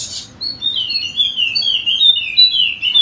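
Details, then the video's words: Short passage of continuous high warbling from a golden-headed Wallacean white-eye, an endemic of Sumbawa in West Nusa Tenggara, with sliding, wavering notes run together, recorded as a lure for birds that are slow to sing. "Pancingan Khusus Untuk Burung Pleci Wallacea Yang Malas Bunyi Agar Rajin Bunyi Gacor!!!"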